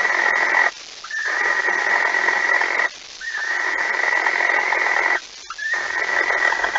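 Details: Harsh, drawn-out hissing screeches from a barn owl at its nest at dawn, 05:14 on 26 August 2019, as a mouse is delivered. Each lasts roughly two seconds, with four in a row separated by short pauses.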